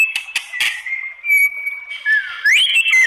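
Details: White-rumped shama song meant to provoke other shamas into answering: sustained whistled notes near one pitch, a few sharp clicks early, then a gliding whistle that dips, climbs steeply and falls back.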